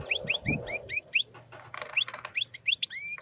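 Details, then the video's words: An excited wild European goldfinch paired with a white female canary sings loudly in rapid runs of short upswept chirps, denser twittering in the middle, ending with a longer rising whistle over a low background hum. "الحسون الخلوي يتزاوج مع انثى الكناري بيضاء هيجان و تغريد قوي"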